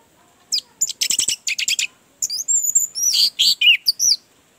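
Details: Orange-headed thrush singing, a therapy sound meant to prompt a silent bird into song. Dense buzzy chatter followed by high sweeping whistles and jumbled varied notes, sung rapidly.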